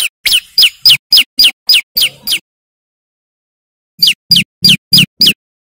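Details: Male bar-winged prinia singing loud and persistent, used for luring birds in the wild: sharp high notes sliding steeply downward, repeated about three times a second in two bursts split by a pause.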